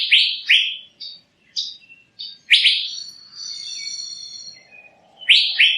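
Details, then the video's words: Asian fairy-bluebird with paired rising whistles, scattered shorter notes and a drawn-out wavering tone, with faint low hum and other soft background chirping. "Burung Cucak Biru"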